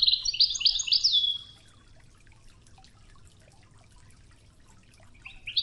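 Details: Widani-style European goldfinch song from a training tape with river water sounds: a brief burst of rapid, jingling twitters that fades after about a second, then a long quiet stretch of faint watery noise before the song returns.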